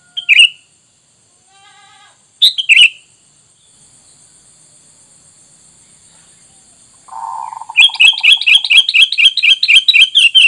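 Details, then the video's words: Sooty-headed bulbul lure call, said to make wild bulbuls answer at once: two loud, bubbly notes, then a rapid chattering burst of repeated mid-high notes near the end, over a thin, steady high-pitched whine. "Dengan Surara ini kutilang bahan Langsung nyaut"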